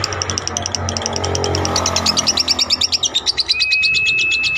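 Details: Lovebird giving a long ngekek trill used as tutor material for other birds: a drawn-out series of rapid, high, chattering notes that pulse steadily, with a steady tone and low hum beneath.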